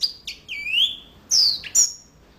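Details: Singing yellow-fronted canary giving a few drawn-out whistles. One clear note swoops upward, others slide sharply down, and loud pure tones are separated by short quiet gaps.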